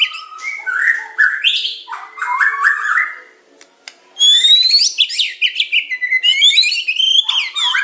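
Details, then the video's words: Medan white-rumped shama training song, pancingan, macet, tembakan and isian styles. Varied whistles and chatter come first, then silence, then rapid buzzy, sweeping high notes with a harsh, alarm-like quality. "Materan burung murai batu medan super-pancingan macet-tembakan-isian"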